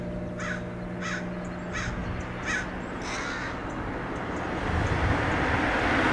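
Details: Roadside in Del Monte Forest, California, where American crows mob and dive-bomb a perched Red-tailed Hawk: about five hoarse caws in the first three seconds, then the rising roar of a passing vehicle drowns the scene.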